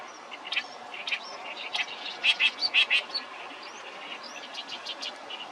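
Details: Oriental reed warbler singing a fragmented song: scattered scratchy chirps build into a run of loud, harsh, rasping notes about twice a second, then trail off into softer scattered notes.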